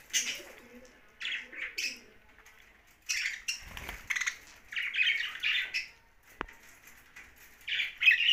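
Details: Young budgerigar chattering in separate harsh bursts, grating chirps broken by short silences and a low thud midway.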